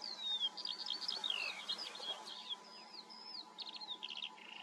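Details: Eurasian skylark singing a continuous, hurried stream of high warbled notes, slurred whistles and quick trills that jump about without pause, over a faint steady hum.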